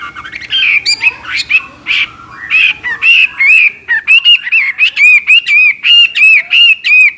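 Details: Chinese hwamei in full, lively chattering song with a clear voice: loud, rapid whistled phrases, many with rising-and-falling slurs. Early harsher notes give way to a steady run of ringing, looped whistles about one per second.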